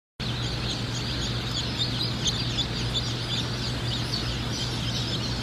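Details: Cinnamon Queen baby chicks at a hatchery: a dense, continuous chorus of high, thin peeps from many chicks overlapping without pause, over a steady low mechanical hum.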